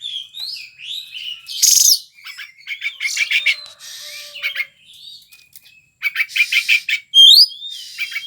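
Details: Gacor white-rumped shama song sought after by Indonesian bird-keeping enthusiasts: fluty slurred whistles alternating with harsh rasping bursts, quick repeated chips and a rattling series near the end, loud and continuous.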